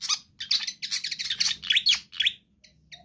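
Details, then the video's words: Vigorously singing pied fantail, used to draw in or train other birds: quick squeaky chirps and buzzy downslurred notes tumbling together, ending in a few soft, spaced ticks. "Sikatan Kipas GACOR ISTIMEWA Cocok Untuk Pancingan Burung Bahan Anda"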